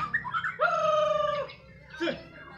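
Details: White-rumped shama (murai batu) from Medan in the afternoon: a few short chirps, then one loud, long, steady whistle lasting almost a second, followed by a brief downward slurred note.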